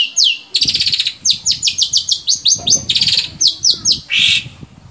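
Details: Long-tailed shrike song used to prompt captive shrikes into singing: loud, harsh high chattering notes in a rapid run of sharp downslurred bursts, then a buzzy rasp near the end.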